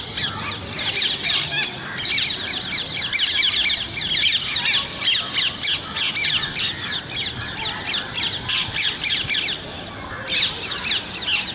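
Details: Natural parrot calling: dense, continuous harsh squawking over about eleven seconds, rapid scratchy notes overlapping as if from several birds, with brief dips in loudness between bursts.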